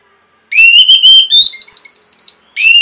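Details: Orange-headed thrush song meant to stimulate caged birds to sing: a continuous run of strong whistled notes that climb gradually, then softer fluttering notes, ending in a fresh loud whistle after a short gap.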